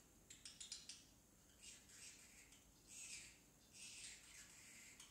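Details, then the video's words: Baby pet parrotlet practising talk: a quick burst of clicky high chirps at the start, then longer hoarse, breathy, murmured sounds in bursts, like muttered syllables, in a quiet indoor setting. "Parrotlet talking"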